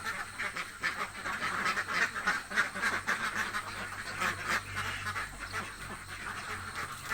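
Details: Hungry ducks in a village quack continuously, a dense flock chorus of harsh, nasal quacks overlapping at about four per second with no pause, plus a low steady hum underneath.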